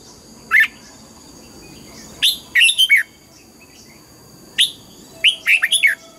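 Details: Red-whiskered bulbul in morning song, trained on double notes: isolated bright chirps alternating with fast four-note warbling phrases, each note swooping up and down, repeated twice, over a thin persistent electronic hum.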